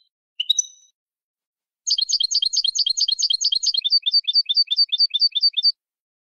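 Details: Canary singing malagueño from a CD for educating birds. One bright ringing note, a pause, then a long, fast trill of repeated high syllables that slows into a steadier, lower series. There is no other sound.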